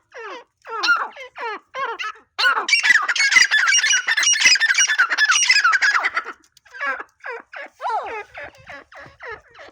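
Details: Grey francolin calling: loud, harsh, rhythmic squawking notes in rapid series, merging midway into a dense, raucous chorus before breaking again into separate repeated calls.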